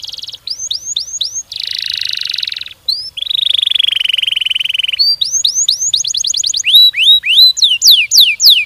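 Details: Canary singing a long, fast-paced song: rising whistled notes in series, a harsh buzzy churr, a lower buzzy roll, then quick trilled runs and sweeping downslurred whistles, clean and loud with no other sounds.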